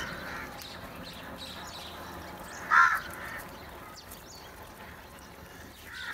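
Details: Crows gathering together for food; a single harsh, hoarse caw rises out of steady background hiss near the middle, with faint scattered bird chirps around it.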